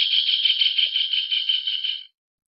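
A Javan kingfisher gives a harsh, dry rattle, a dense, grating burst lasting about two seconds before cutting off abruptly; nothing else is heard.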